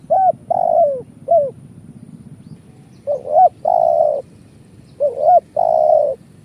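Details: Spotted dove lure call for trapping, phrases of a short hooked note, a rising double coo and a long level coo, repeated three times with quiet gaps and soft low background hum.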